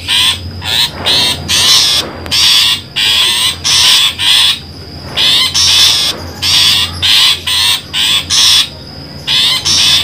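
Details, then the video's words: Harsh rasping calls of a long-tailed shrike, played as a trapping lure, come in about a dozen short, scratchy bursts, roughly every three quarters of a second, with a constant high-pitched whine running underneath. "suara pikat burung pentet"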